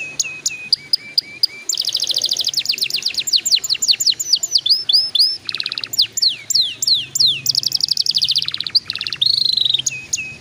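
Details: A canary sings as a prompt for young birds to begin singing: spaced whistled notes, then long rapid trills, buzzy rattles and rising slurred whistles in continuous varied phrases.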